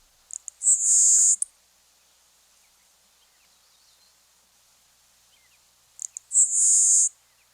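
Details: LeConte's Sparrow, a bird of moist grassy wetland margins, sings twice: a few thin ticks, then a very high, hissing insect-like buzz under a second long. No other sounds.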